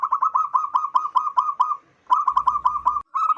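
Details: Zebra dove, local wild-type bird used to attract wild zebra doves, giving a long, steady chain of rapid rounded coo notes, a short pause, then another fast series.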